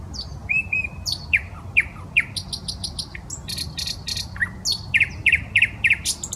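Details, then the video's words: Nightingale singing in a park beside the Smolenka in Saint Petersburg: whistles and quick downslurred notes, a dry rattling burst, then a fast series of sharp repeated chips, over a quiet low rumble. "Песня соловья"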